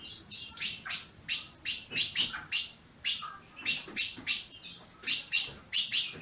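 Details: Ultramarine grosbeak (azulão) from a Brazilian captive breeder, chirping to warm up a caged bird: rapid, bright, high chips repeated about three per second, some notes upswept, with a faint low room hum beneath.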